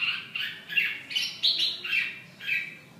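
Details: Red-whiskered bulbul giving a short run of separate, slurred, warbling notes, some rising and some falling, spaced roughly every third of a second.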